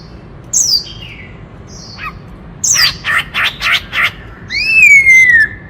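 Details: White-cheeked laughingthrush singing a varied song: a high falling whistle, short slurred notes, then a quick run of five loud rapid notes and a long clear whistle sliding downward. Background is quiet.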